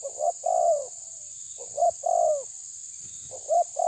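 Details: Spotted dove pressing a rival, giving repeated coo phrases: quick double notes then a drawn-out coo that slides downward, with pauses between phrases and a constant high-pitched drone in the background.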